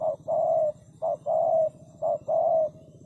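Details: Spotted dove cooing in a clear two-part pattern, a short low note then a longer held coo, repeated three times about once a second over a faint low hum.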